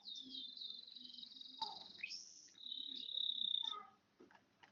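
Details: A one-year-old bar-winged prinia sings a long, thin, high trilled phrase, broken by a sharp upward slur and then a second sustained buzzy trill, over a faint low hum.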